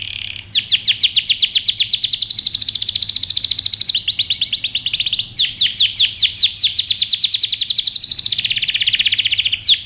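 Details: Canary song for training: loud, fast trills of repeated downward-sweeping notes, with rapid rolling phrases, a brief steady buzzy tone in the middle, then more quick trills.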